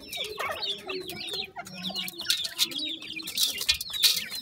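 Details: Newly hatched grey francolin chicks giving a busy chorus of thin, high, downslurred peeps that overlap constantly, with a few lower clucking notes underneath.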